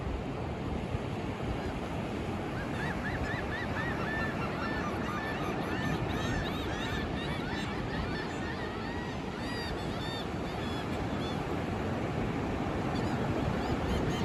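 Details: At sunrise on Daytona Beach, Florida, on 14 March 2024, mostly sunny with 4 mph winds, gulls give short, nasal, arching cries in quick, irregular, overlapping runs over a steady roar of breaking surf and wind.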